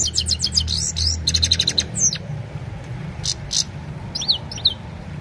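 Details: Himalayan goldfinch's evening singing, from an Oppo A76 phone: a lively burst of twittering and a short rapid trill, then scattered single high chirps with gaps, above a low rumbling hum.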